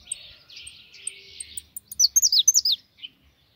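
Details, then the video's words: A pet European goldfinch sings: a scratchy, buzzy warble that ends in a rapid burst of bright, sharp twittering notes. "Mi jilguero"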